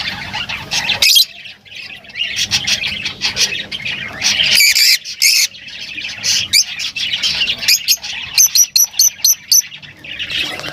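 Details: High, squeaky lovebird squawks and twitters in uneven bursts, ending with a series of five or six short, evenly spaced piercing chips.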